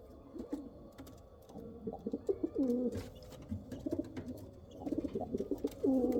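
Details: Pigeons of the Kal Cheeni and Rampuri breeds produce scattered stuttering notes that build into looping coos, louder toward the end, with light clicking noises throughout.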